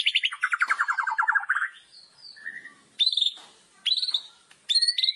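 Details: Loud kretekan song of a white-rumped shama, used to provoke other shamas: a fast descending rattle of clipped notes, then a pause and three sharp, high whistled phrases spaced about a second apart.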